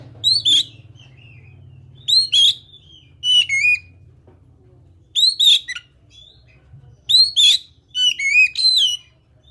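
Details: Oriental magpie-robin, or kacer, singing repeated pairs of bright upslurred whistles with clicky ends, interspersed with quick runs of descending whistled notes, low hum at the start.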